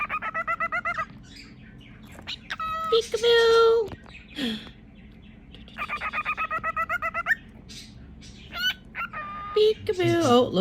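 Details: Pet cockatiel playing a peekaboo game with its owner, winding up before each call: bursts of rapid harmonic chattering notes and speech-like squawks, separated by pauses, with a person talking and music softly in the background.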